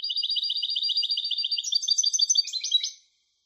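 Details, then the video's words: A European goldfinch hybrid sings rapid repeated notes that turn into a varied, chattering twitter before stopping. No other sounds. "تغريد هجين الحسون Canto De Mixto del Jilguero"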